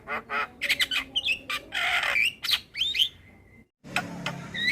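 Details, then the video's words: Adult male Javan myna song meant for teaching a young bird: rough churring notes, a long harsh rasp, twisting whistles ending in a sustained thin tone, a brief silence, then more harsh calls. "Masteran Burung Jalak Muda Dengan Suara Jalak kebo Jantan Full isian"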